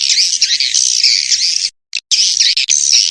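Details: Swiftlet call to the young: a continuous, harsh, high-pitched squealing chatter that breaks off briefly, gives one or two short notes, then resumes just as loud.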